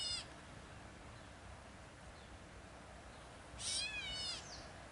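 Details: A Gray Catbird at a riverbank park along the Red Deer River, Drumheller, Alberta, Canada, gives its nasal, cat-like mew, a slurred, wavering call near the end.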